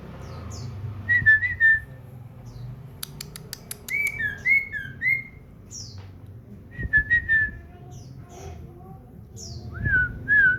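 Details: Common iora kept at home, singing actively: repeated bursts of two or three clear, down-slurred whistles, with one phrase pitched a little higher. A brief rattle of clicks and a steady low household hum are also heard.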